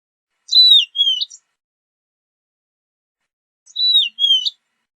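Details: Horned lark calls: a two-note whistled phrase, the first note falling and the second level then rising, given twice several seconds apart.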